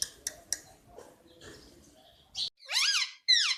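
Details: Soft clicks and quiet scratchy murmurs give way to two loud arched screeches from a pet Indian ringneck parakeet at the close.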